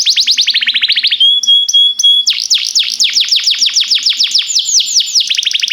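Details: Singing canary used to train canaries: rapid falling whistles, a short steady pure tone with sparkling high notes, then a long run of loud, deep downward-swooping notes repeated several times a second.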